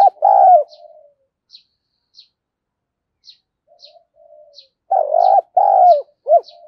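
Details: Lure spotted dove with a 'đồng pha' style voice, cooing to goad other doves into fighting: a loud husky coo opens, then after a quiet gap a burst of three throaty rolling notes, while thin high chirps of another bird tick in the background.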